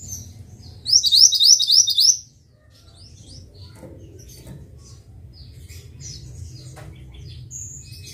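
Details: Mantenan bird song used as a master recording for training birds: a loud run of quick, high, buzzy repeated chirps lasting about a second, then quieter scattered high notes over a low background hum.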